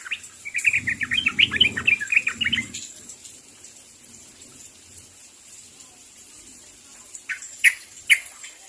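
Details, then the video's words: Sooty-headed bulbul calling to others, with a fast chattering burst of bubbly chirps lasting about two seconds, then quiet, and two sharp notes near the end. "SUARA BURUNG TRUCUK MEMANGGIL KAWAN"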